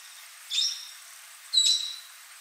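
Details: A Black crake (Zapornia flavirostra) at Shidlayengwenya Waterhole, Kruger, South Africa, on 14 June 2019 gives two short, high, squeaky notes with a harsh edge, about a second apart, over a faint background hiss.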